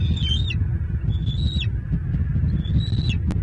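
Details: Bald eagles at the nest in southwest Florida, April 17, on a wet morning with the adult male and eaglets on a branch; high thin whistled calls, each about half a second long and ending in a drop, repeated three times over low rumbling background noise.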